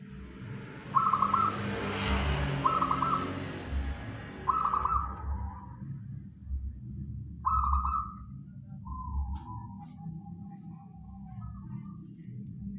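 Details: Local wild zebra dove song for use as a catching lure: short rolled coo phrases repeated about every two seconds over rushing noise, then a longer bubbling phrase followed by a sustained level coo and softer trailing notes.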